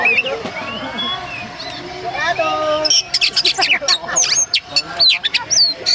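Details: Kacer, or Oriental magpie-robin, described as an odd-sounding bird. Talking dominates the first half, then bursts of loud high whistled notes and steep chirping sweeps follow in quick succession while voices continue faintly.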